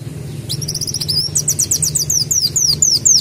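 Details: Sunbird singing continuously and mimicking a canary: a fast, high, unbroken stream of rapid chittering trills and short descending whistled sweeps, growing louder over about three seconds, over a steady low background hum.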